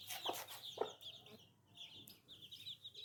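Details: Little new chicks calling with continuous shrill, wavering peeps, broken by brief clattering knocks early on and a quieter gap mid-way before the cheeping resumes.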